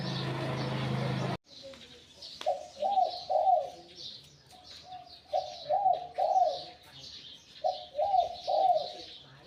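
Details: After a brief loud burst of noise, a wild-caught spotted dove decoy with a medium-to-deep voice coos in grouped phrases of two or three rounded notes, separated by pauses, with faint chirps of other birds.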